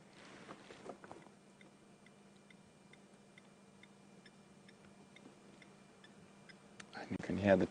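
A Blacksmith Lapwing gives faint, sharp metallic tinks in a steady series, several each second, like a hammer on an anvil, with a low hum and a man talking.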